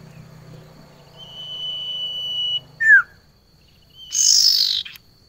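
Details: Calling to a male, a female barn owl gives one loud, rasping, hissy screech toward the end, after a steady thin whistled tone and a short sharp squeak; a low hum runs underneath.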